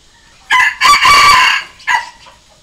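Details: A decoy junglefowl rooster crow for calling and challenging wild cocks, used in training young roosters. It is a three-part crow, short, long and short, loud and harsh against near silence.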